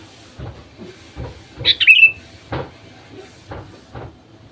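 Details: Sooty-headed bulbul lure song used to coax other bulbuls into singing: one short, bubbly phrase that slides downward, set among repeated dull knocks and rattling clicks.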